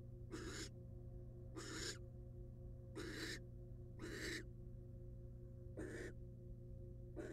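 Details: Female wild barn owl tending eggs in a monitored nest box; six raspy, noisy hiss bursts roughly every second, each a few tenths of a second long, with a steady low mechanical hum behind.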